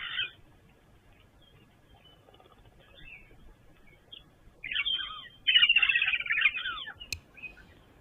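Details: At a King's Camp waterhole on 1 December, with impala drinking nearby, a Woodland Kingfisher gives a high, ringing call running into a rapid trill that slides gently downward, with brief chirps before it and a quiet background.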